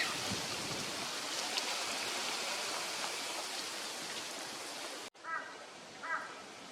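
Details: Eurasian wigeon (Mareca penelope), a winter visitor, at Junsai pond green park in Chiba, Japan, in February 2025. A steady rush of water fills the first five seconds, then come two short whistled calls about a second apart.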